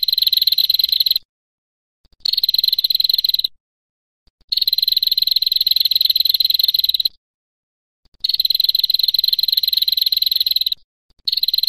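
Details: A female red-headed prinia gives long, dry, buzzy trills, high-pitched and rapid, each lasting one to three seconds, with short silent pauses between them.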